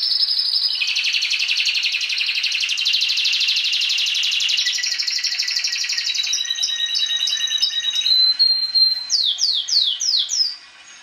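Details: Caged Timbrado canary singing a long unbroken rolling trill that drops in pitch midway, then breaks into sharp repeated chips and a run of descending slurred whistles before falling quiet.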